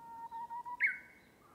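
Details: Japanese bush warbler singing among bamboo: a few pulsing low whistled notes, then a sudden loud upward-flicking phrase with a held higher tail, followed by a soft faint note.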